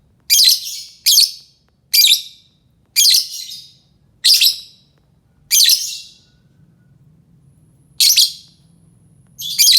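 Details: Rasping, high lovebird screeches used to attract other lovebirds, repeated roughly every second, then a gap of about two seconds before two more; soft low rumble in the background.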